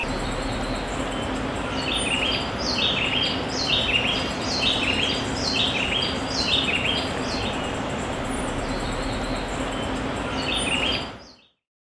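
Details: An Andean cock-of-the-rock (Rupicola peruvianus), a South American bird, gives a run of short, squeaky notes, several each second, over a steady background hiss.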